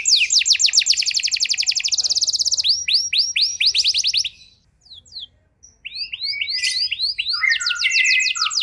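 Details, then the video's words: Canary singing pancingan to spark a reaction in canaries in poor condition: very fast buzzing trill, a change to slower slurred notes, a short quiet gap with scattered chirps, then trilling resumes. "Pancingan JITU! Terbukti Ampuh Memancing Kenari Kurang Kondisi! Seketika Langsung Respon"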